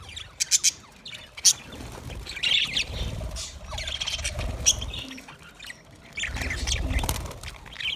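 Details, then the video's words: Budgerigars calling, with short bright chirps and bursts of high warbling chatter in scattered groups, separated by quieter gaps with low rumbling background noise. "Budgies parrot awaz"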